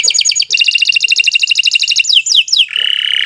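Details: Canary, Kenari Nusantara, delivering a fast pulsed trill, then three loud falling whistles and a steady ringing buzzy tone at the end.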